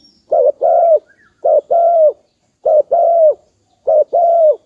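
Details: A dove's soft coo: four evenly spaced two-part phrases, a short note leading into a drawn-out, level then gently falling tone, in a clean quiet background.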